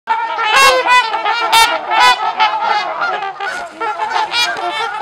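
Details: Trumpeter swans (Cygnus buccinator) socializing at LaSalle Park, Ontario, Canada call in a loose chorus, several birds trading deep, resonant, horn-like nasal honks that overlap irregularly throughout.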